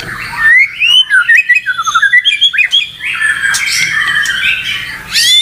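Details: White-rumped shama singing, described as provoked and unwilling to stop: a rich stream of looping whistles, quick rising and falling slurs, then a sustained bright phrase ending in a sharp upward sweep.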